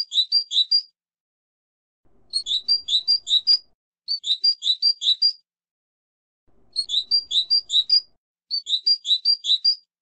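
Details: European goldfinch singing short bursts of six or seven sharp, high twittering notes. The bursts repeat about every two seconds with silent gaps between them, and no other sounds are heard.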